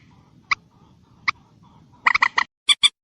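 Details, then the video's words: Common moorhen with two short spaced clicks, then a fast burst of harsh, chattering clucks followed by two sharper notes. "ডুংকোর পাখির ডাক / ডুংখোর পাখির স্পেশাল ডাক / Common Moorhen bird call"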